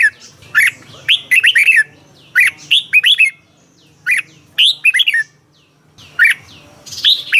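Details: Caged Red-whiskered bulbul singing in Thailand, its song used to rouse other caged birds: clusters of lilting whistled notes that swoop up and down, repeated in bursts roughly every second, with a faint low hum behind.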